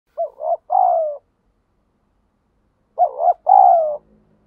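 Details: Wild spotted dove giving 'thúc gù' cooing: a low, hollow two-part phrase, a short wavering double coo then a longer falling coo, heard twice about three seconds apart with silence between.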